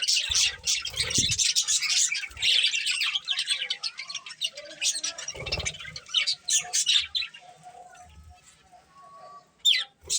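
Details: Colourful pet budgies chirping in dense high chatter for about seven seconds, with occasional low knocks, then fading to sparse faint notes and a last brief squeak.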